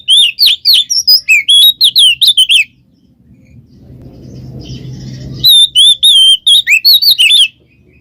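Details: Oriental magpie-robin song in the 'ngeplong ngekek' style, used as a lure to get a silent magpie-robin singing. Dense strings of sharp, high, slurred whistles for over two seconds, a low rumbling pause, then another rapid whistled run.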